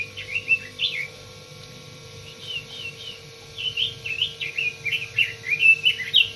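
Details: Red-billed leiothrix song: a brief warbled phrase, then a pause, then a long lively run of quick, fluty, up-and-down slurred notes about twice per second, ending more loudly; a faint constant hum in the background.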